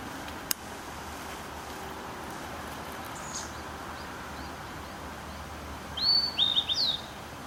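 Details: Blue-and-white flycatcher recorded 2 May 2013: after a long quiet stretch with a single sharp click early on, a brief phrase of clear high whistles with quick downward and upward slides.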